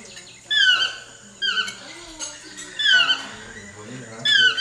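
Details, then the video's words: Chestnut-mandibled toucan giving four loud yelping calls, each a sharp, steeply descending note rich in overtones, spaced roughly one to one and a half seconds apart over a faint low murmur. "Chestnut mandibled Toucan."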